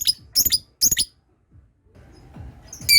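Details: Lovebird practising ngekek, the long trill, as other birds join in: clusters of quick, squeaky chattering notes, a short pause, then another bright burst rising at the end.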